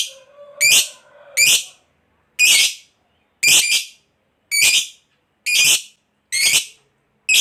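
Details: Lovebird giving harsh, shrill squawks at irregular intervals of about a second, part of a ngekek session meant to make other lovebirds respond; a faint low hum sounds at the start.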